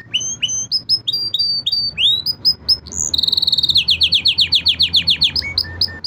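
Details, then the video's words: A training song from five singing canaries: a sequence of high whistled upslurs, a brief buzzy burst, then a quick train of descending slurred notes and a few lower chirps at the end. "5 canary birds singing / best training song"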